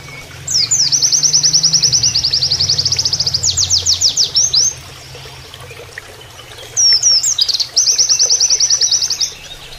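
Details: Oriental white-eye giving a canary-like song used as a training tutor: fast buzzy high trills of repeated downslurred notes in long runs, a rapid stuttering burst, a pause, then another rattling trill, over a steady murmur of flowing water.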